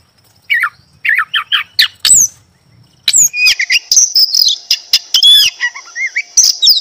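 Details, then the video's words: Oriental magpie-robin singing through the day and night: clusters of quick high chirps and clicks, a short silence, then a dense, continuous stretch of thin whistles and twittering notes. "Suara burung Kacer pagi siang malam"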